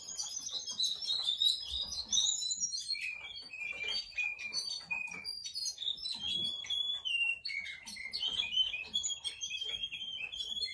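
A Russian canary sings a long, continuous run of high, bright twittering phrases, quick trills and whistled notes flowing without pause.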